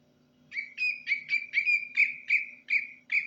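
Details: Greater green leafbird singing quietly at night after a bath: a rapid run of about ten clear whistled notes at a steady high pitch, each a bit over a quarter second apart, over a low background hum.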